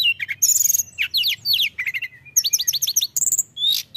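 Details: Mountain tailorbird singing hard, mixing bright high whistles, quick falling slurs and a rapid series of clipped notes, ending in a long shrill whistle over soft low hum.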